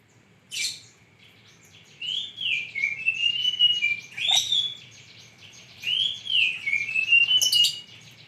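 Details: A lovebird sings in lively, melodious fashion after a quiet opening, giving rounded high chirps in uneven bursts with short squeaks between, over a faint steady background hum.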